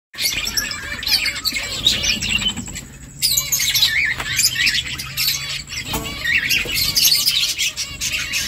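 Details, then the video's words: Finches building a nest: dense, overlapping high chirps and twitters from several birds, briefly thinning around the third second before the busy chatter resumes, with a faint low hum underneath. "Finches chirping sounds Finches making nest"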